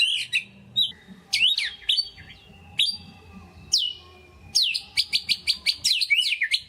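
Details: Kept white-rumped shama in energetic lure song: high sharp downslurred notes alternating with held whistles, then a quick burst of rapid high chips near the end.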